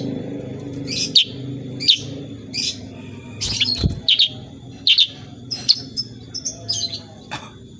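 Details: Sooty-headed bulbul, known as kutilang sutra, singing 'gacor' with 'tembakan' notes: loud bright chirps roughly every second with buzzy overtones, set against a noisier room-like background hum and a brief thump midway.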